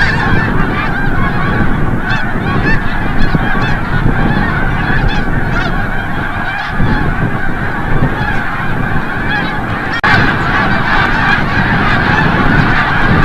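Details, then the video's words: A large flock of snow geese returning from the bay at sunset at Forsythe National Wildlife Refuge, Oceanville, New Jersey, calls without pause, forming a dense wall of nasal, barking honks. "Snow Geese"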